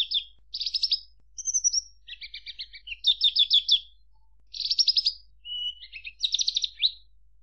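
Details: Javan bush lark singing: a string of buzzy, rattling trilled phrases mid-high in pitch, each lasting about half a second, with short clear whistles between, against near silence.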